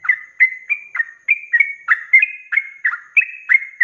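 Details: Sooty-headed bulbul singing in the fast continuous 'ropelan' manner for training cage birds: clear fluty two-part phrases repeated about three times a second, bright and even, on a quiet background.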